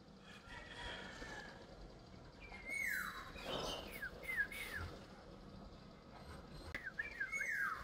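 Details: Two Black-naped Orioles (Oriolus chinensis), a rare sighting, seen as a pair near a garden and a sinigwelas tree. They sing clear, fluty whistles that slide downward in short, repeated phrases over a soft hiss.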